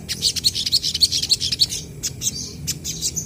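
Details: Crested jays, locally sogon, calling back and forth as lure material for untrained birds. A fast run of sharp high chips, nearly regular, gives way to scattered chattering notes.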